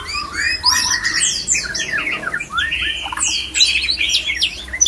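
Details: Mating song of a male white-rumped shama intended to spark breeding in other shamas: fast, high, tumbling whistles and chirps packed closely together, bright and chattering, with a soft low hum beneath.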